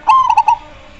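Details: A single zebra dove phrase: a bright opening coo running straight into three quick, bubbling pulsed notes, ending abruptly in quiet background.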